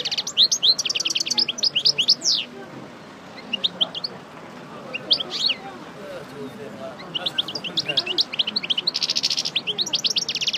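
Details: Moulted parva goldfinch resuming song: repeated rapid bursts of high, sharp twittering and chattering trills, with a quieter stretch in the middle, then dense buzzy, metallic rattles and fast chip series at the end.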